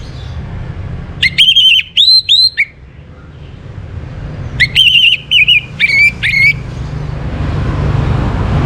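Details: Orange-headed thrush song, a morning recording played to bring birds into breeding condition: two bursts of loud clear whistled phrases with slurred upswept notes, separated by a few seconds of quiet hiss.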